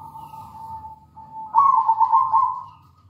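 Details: Local zebra dove singing strongly as a lure recording: a faint steady tone first, then a loud trilling, rolling coo phrase of quick bubbling pulses for about a second before it fades.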